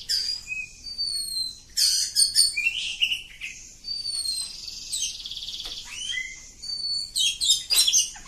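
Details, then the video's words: Oriental magpie-robin, a village-type bird, giving a long continuous song: clear whistled notes and slurred glides mixed with dense buzzy trills and rapid chattering bursts, high-pitched and varied throughout. "Kacer Kampung. Super Ngacor panjang"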